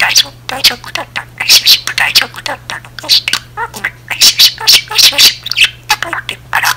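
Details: Pet budgerigar chattering and talking alone in a style likened to a middle-aged woman's chatter: rapid, continuous bursts of squeaky, speech-like syllables and chirps with a steady low hum behind.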